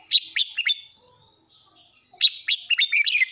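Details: Morning kích bokes-style kích bổi song from a caged red-whiskered bulbul used to train singing: three crisp downward chirps, a pause of over a second, then a fuller run of warbled, falling notes.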